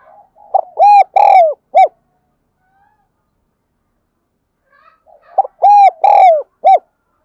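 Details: Spotted dove of the thổ đặc voice calling to lure wild doves: two phrases about five seconds apart, each a short note, two sustained coos and a brief final coo, with quiet soft lead-in notes.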